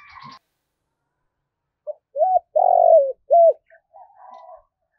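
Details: Spotted dove making the urging 'thúc' cooing meant to draw wild birds to come and fight. A brief faint note opens, then a rising hoot, a long rough falling coo and a crisp short coo, followed by soft trailing murmurs.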